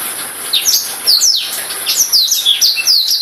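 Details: Black-throated canary (Crithagra atrogularis), song.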